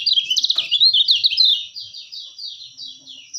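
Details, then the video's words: Kecial kuning white-eye song for bird tutoring and luring: a dense burst of sweet, high, slurred chirps that runs on as a softer, evenly repeated series of descending twitters. "masteran terbaik burung kecialkuning"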